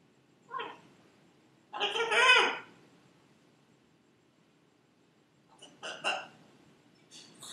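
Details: Female Buffon's macaw kept as a pet, repeating her name again and again; a short rasping syllable, then a louder drawn-out harsh phrase, and later a pair of clipped bursts in a quiet indoor setting.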